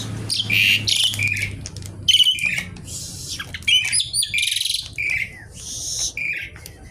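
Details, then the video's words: Lively Javan pied starling song in crackling kretekan style, mixing harsh scratchy bursts with short clear whistles and chattering notes in irregular phrases, with quiet gaps between them. "jalak suren gacor kretekan nggaruda"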